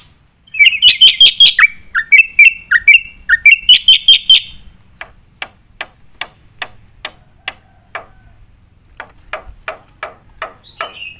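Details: Black-winged myna in full gacor nembak song, a training recording for competition birds: rapid bursts of sharp, chattering notes in quick runs, then a series of separate dry clicks spaced about half a second apart.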